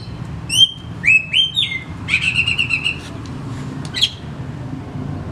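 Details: Kacer, or oriental magpie-robin, singing a lure song meant to prompt silent birds to sing: a few bright, sweeping whistles, then a dry rattling trill, ending in softer scattered notes against a constant low background hum.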